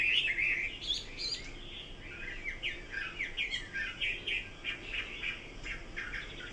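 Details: Chinese hwamei heard singing at moderate distance: a loud burst of tangled whistles opens, followed by softer, quickly repeated looping whistled notes with a faint background hiss.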